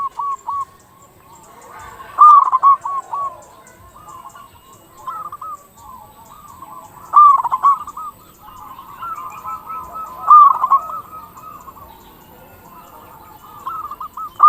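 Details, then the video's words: Local zebra dove, sung as a lure to make zebra doves call quickly. Repeated rolling coo phrases with accented first notes come every three to five seconds, over continuous softer bubbling cooing from the background. "Perkutut lokal gacor suara paling ampuh untuk pancingan burung perkutut agar cepat bunyi"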